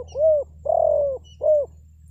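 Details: Spotted dove lure call meant to make forest birds reply. One close phrase of three low, mellow coos: short, then a long drawn middle note, then short again. Each note falls slightly.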